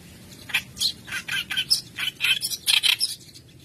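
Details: Kerak basi with white brows singing as a lure for young birds in training; a steady stream of scratchy, rasping notes, slightly softer and less dense, over a low background hum.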